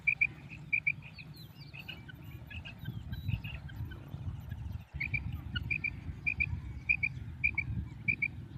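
A female quail gives short high paired notes, repeated about every half second, over a steady low rumble of background noise.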